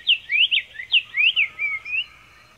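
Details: Black-faced tanager (Schistochlamys melanopis), known in Brazil as sanhaçu-de-coleira, singing: a quick series of bright, slurred whistled notes rising and falling, about eight phrases in under three seconds, with a quiet background.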